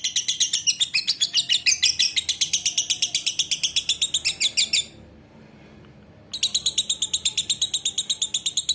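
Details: Long ngekek song of a lovebird: shrill, rapidly pulsed chatter runs for about five seconds, breaks off for a second and a half of quiet, then resumes with the same fast rattling rhythm.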